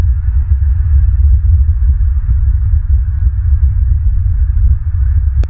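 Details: Only a heavy, low rumbling drone with soft clicking knocks is heard, ending in a sharp click.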